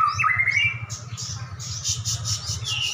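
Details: Dueling prize white-rumped shamas, caged and described as raging; a rising slurred whistle followed by a quick series of harsh, scratchy high bursts, over a low hum.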